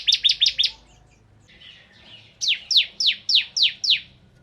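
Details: Bar-winged prinia (ciblek kristal) singing gacor: a quick run of five stuttered high notes, soft twittering, then six louder, evenly spaced falling chirps.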